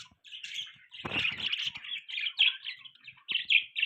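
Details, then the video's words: Budgie warbling in a continuous chatter of buzzy, scratchy chirps and short squeaky notes, with a brief pause near three seconds before resuming, over a quiet background. "Beautiful budgie chirping sound, budgies chirping sounds, budgie beautiful voice"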